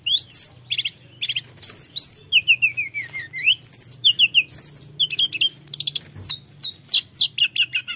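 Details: Mountain flowerpecker song for goading silent flowerpeckers: sharp high chips, a falling series of thin whistles, then quick buzzy trills and squeaks tumbling on without break over a low background hum.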